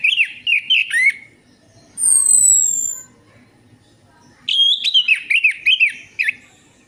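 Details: Orange-headed thrush song used as a lure to prompt reluctant birds to sing: loud, warbled whistled phrases with quick up-and-down inflections, broken by a long, pure, falling high whistle and short pauses.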